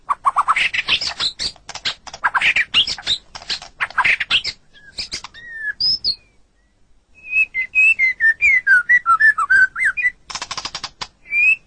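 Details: Murai batu, the white-rumped shama, singing a masteran tutor track for caged songbirds: bursts of harsh scratchy chatter, a pause with a few isolated whistles, then a quick series of clear slurred whistles dipping and rising, ending in more chatter.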